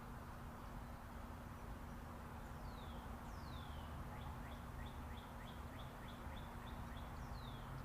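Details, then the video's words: Birds chirping over the constant roar of Interstate 40 traffic in raw, unlooped outdoor sound: a few high down-slurred whistles, then a rapid even run of short chirped notes, and another falling whistle near the end. "Chirping Birds"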